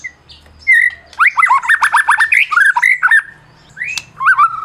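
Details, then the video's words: White-rumped shama from Medan, a winning songbird used to trigger singing in silent shamas: a long whistled note, then a rapid rattle of upward-sweeping notes, a steady whistle, and final rising and falling whistles. "Masteran Murai Batu Medan Berprestasi !! Murai juara,, cocok pancing murai lain yg bisu"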